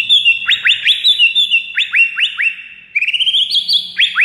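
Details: Song of a white-rumped shama, used as a lure for rival birds: bright whistles with quick upward sweeps repeated in bursts, a brief lull, then a rising series of sharper whistled notes.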